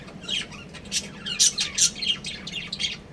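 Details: Pair of breeding budgerigars: quick run of sharp, squeaky chirps and short squawks, several per second, over a faint constant low hum.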